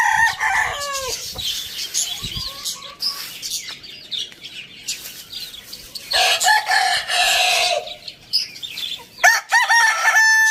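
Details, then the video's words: Morning rooster crow: short falling harmonic notes open the recording, then a long, steady, hoarse crow lasting nearly two seconds. Dense chirping of small birds continues throughout, with sharp squawks near the end. "Rooster crowing sound in the morning"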